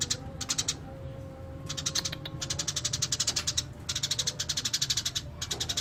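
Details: Burung gereja, Eurasian tree sparrow, singing 'gacor': fast strings of crisp high chirps delivered in rhythmic bursts, some longer runs, a thin steady tone and low background rumble throughout.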